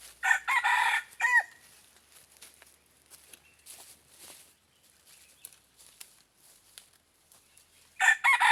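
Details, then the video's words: Decoy red junglefowl luring wild birds: a loud, rough crow opens with choppy bursts and a hooked final note, then a quiet stretch of soft rustling and faint calls before another crow starts at the end. "Dib qaib qus tuaj niag txawv txawv ต่อไก่ป่า"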